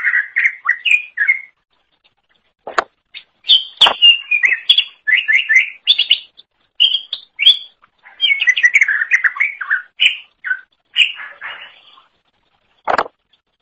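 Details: Greater green leafbird singing energetically as a tutor recording for songbirds: fast, varied high whistles, chattering trills and slurred notes in bursts separated by brief pauses, with a few sharp clicks or knocks.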